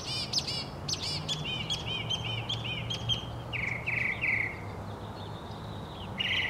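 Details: Northern mockingbird in lively varied song: rapid high chirps repeated in series, slurred whistled notes, then lower buzzy phrases each given two or three times.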